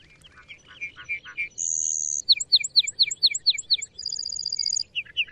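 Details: Lark bunting singing a varied song: a series of buzzy rasping notes, then a long high whistled tone, a run of quick sharp repeated chips, a fast high trill, and closing slurred notes.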